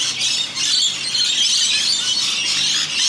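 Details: Harsh, shrill squealing from many rainbow lorikeets bathing at a rain gutter in Australia, a thick continuous chorus of high screeches.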